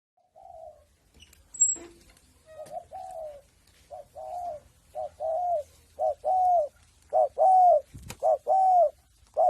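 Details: Spotted dove raised free-range, practising its cooing: a series of low, mellow coos, each a short note followed by a longer arched one, growing louder and more regular over the phrase, with a brief higher chirp early on.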